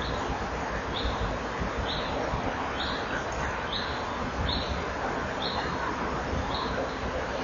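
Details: Common kingfisher chick at the nest on 14 May 2013 at 16:43, getting cold and pushing to get under its mother's warm feathers: short high chirps repeated roughly every 0.7 seconds over steady loud hiss.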